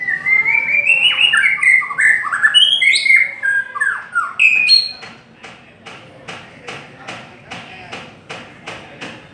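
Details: White-rumped shama singing a long song: a rapid run of rich, varied whistled phrases rising and falling, then a string of sharp ticking notes repeated about three times per second as the singing trails off.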